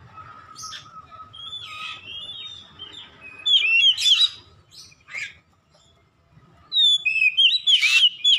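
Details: Oriental magpie-robin in full ngeplong gacor song, a recording meant for training caged birds at home: soft warbling, a loud cluster of looping whistles, a near-silent gap, then another fast run of ringing notes.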